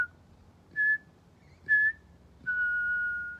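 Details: Pied butcherbird at Griffith Pioneer Park Museum on World Listening Day 2023, exchanging phrases with a person: two short, pure, flute-like notes about a second apart, then one long steady whistle falling slightly at the end; otherwise quiet.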